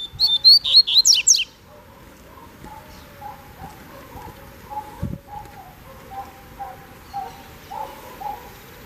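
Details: Double-collared seedeater, a kept bird taken on a walk outside its cage, gives one rapid, high twittering burst of short sharp notes lasting about a second and a half, then falls silent against a low steady background hum.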